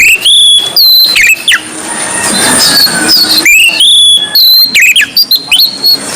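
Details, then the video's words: Oriental magpie-robin (Kacer Poci, white breast) in a gacor ngobra singing bout: bright sliding whistles and quick chirps opening the clip, a hissy pause, then another fast burst of loud whistled notes from three and a half seconds. "BURUNG KACER DADA PUTIH GACOR NGOBRA"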